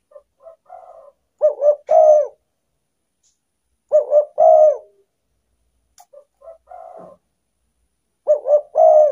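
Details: Repeated cooing of a spotted dove, played to lure wild doves: soft broken lead-in notes then a loud phrase of a quick double coo and a long coo, repeated about every two to three seconds, with faint clicks.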